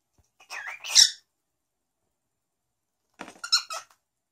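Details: Cockatiel named Garam speaks a Korean greeting, "annyeonghaseyo", in two quick, squeaky, voice-like bursts about three seconds apart, high and slightly nasal, in a quiet room.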